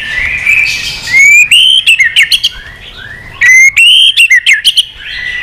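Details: White-rumped shama, a mature wild-caught bird, fired up and constantly flicking its tail while singing in many voices: clear whistled notes around a steady pitch broken by bursts of sharp, repeated, harmonic-rich chips.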